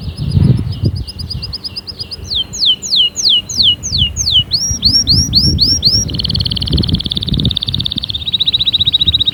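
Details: Fierce canary song used to spur other canaries into singing. A rapid high trill opens into sweeping upslurred whistles, repeated quickly. It then shifts to a dense buzzy rattle and ends in a steady fast trill.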